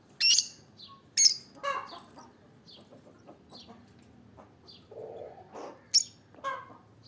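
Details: Olive peach-faced lovebird chirping in quick, shrill bursts: two piercing shrieks near the start, then scattered softer chatter and a later pair of sharp calls, over a quiet background.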